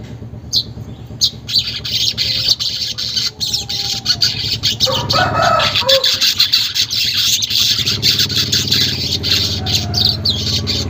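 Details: Sizzling, fast weaver chatter, unedited, meant to stimulate caged weavers to sing. The buzzy notes pour out continuously, a few clearer whistled notes appear midway, and a low background hum runs throughout.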